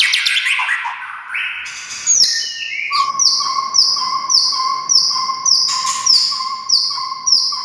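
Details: White-rumped shama song used to provoke silent shamas into singing: a few varied opening notes, then a steady run of bright, high, downslurred whistles repeated about twice a second over a low sustained whistle.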